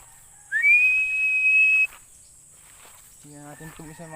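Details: Philippine eagle uttering a single rising, then level, high whistle of more than a second, followed by a person's voice speaking briefly.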